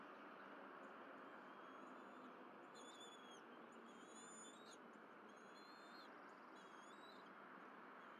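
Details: Bald eagle nest at Berry College, April 2023 morning, with a young eagle, its mother and father eating fish. Quiet opening, then a run of short high whistled notes in the second half, beneath steady broadband noise.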